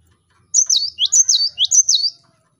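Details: Lure song of a vigorous cinereous tit (gelatik batu) meant to draw rival birds into singing: four bright, high two-part whistles in quick succession, each falling in pitch, over near silence.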